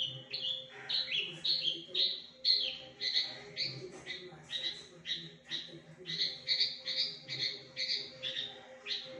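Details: Javan bush lark, a caged bird singing a varied, loud song that mimics other birds, used as a master recording for training larks: sharp, high chirped and slurred notes about twice a second, with a steady low hum underneath.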